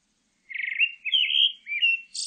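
A pale thrush gives a short clear phrase: rapid stuttered notes, then warbled whistles, ending in a high thin buzzy note. No other sounds are heard.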